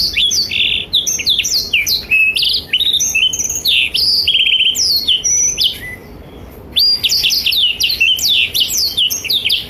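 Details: Energetic Blackthroat song meant to tutor young and adult canaries: rapid tumbling sequence of high whistles, chips and short trills for six seconds, a quiet gap, then another burst of busy twittering.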